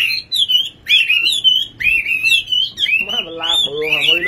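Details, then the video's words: Nightingale in full song, loud rising and falling whistled phrases in quick succession, each ending with short trills, while a man talks over the final second. "Singing nightingale. amazing bird song"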